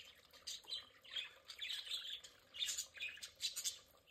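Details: Several pet budgerigars at play in their play area, giving a continuous warbling chatter of high chirps, squeaks and short buzzy notes, rising in loudness in clustered bursts.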